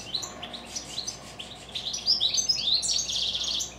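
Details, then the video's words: Goldfinches kept at home singing in the evening, starting with soft scattered chirps and building into a louder, brighter run of high twittering trills. "Evening goldfinches song."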